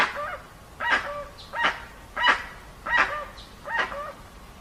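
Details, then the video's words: Dusky-legged guan, recorded without sound effects: five hoarse, barking honks spaced under a second apart, each a rough burst ending in a short nasal, slightly falling tone. "Som limpo do canto🎵 do Jacuguaçu"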